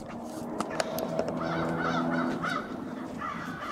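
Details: Crows staging, or gathering, on Washington Street in Brattleboro, Vermont, on 16 February 2021: hoarse caws around the middle and end of the clip over a steady low engine drone from street traffic.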